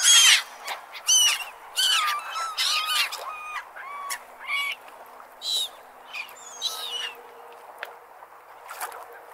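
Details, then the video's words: Seagulls at a beach by the ocean give harsh, squawking calls and thin mewing cries about once a second, several birds overlapping in a noisy chorus. "Best Beach and Seagull Sound"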